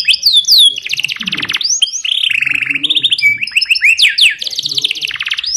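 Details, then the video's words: A yellow canary sings a training song: a fast, varied, continuous high-pitched run of bright whistled sweeps, rapid trills and rolling buzzy tours. "CANARY Singing- Training song for yellow canary"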